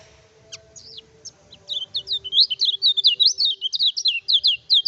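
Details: Kecial kuning singing vigorously without doping, used to tutor and provoke rival birds. A few scattered high notes lead into a long, rapid, continuous chatter of high, descending whistled slurs.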